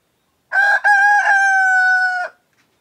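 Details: Close rooster of a male laying breed crowing once: a clipped opening syllable, a brief break, then a strong, steady, harmonic-rich tone held for over a second before cutting off cleanly in quiet surroundings.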